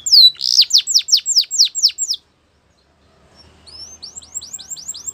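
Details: Canary song for training: a series of loud descending whistled sweeps repeated about three per second, a brief silence, then a softer run of rising slurred notes.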